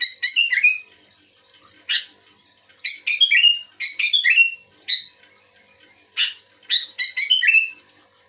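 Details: Sooty-headed bulbul actively responding to another bulbul with short bursts of bubbly, chattering notes in quick descending clusters, repeated every second or so with brief pauses, in a quiet setting.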